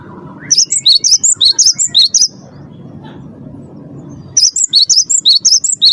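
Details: Cinereous tit of the wingko type, a champion bird, singing its 'gacor' lure song: quick, evenly spaced sharp chips alternating in pitch, about ten per burst, with a pause of low rumble between two bursts.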